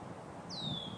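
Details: A Tree Swallow, one of several active swallows near nest boxes by a river in an urban marsh on Earth Day 2015, gives a single thin, high whistled note sliding downward and trailing off, over low outdoor rumble and rustle.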